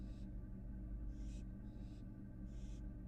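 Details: Three softer breathy hisses from a fledgling American barn owl that has come back into its Florida nest box, spaced about a second apart over a constant low hum.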